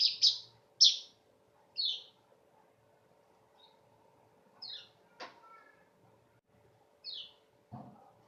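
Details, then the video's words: Weaver singing, said to sound sharp like a canary: spaced, high, scratchy down-slurred chirps at irregular intervals, with a sharp click and a low knock in between. "Beginilah Kicau Burung Manyar"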